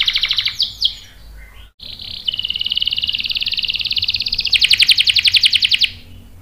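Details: Canary lure song intended to excite listening birds into rolling replies: a quick trill and brief slurred notes, a short pause, then a long, steady rolling trill that turns louder and coarser near the end.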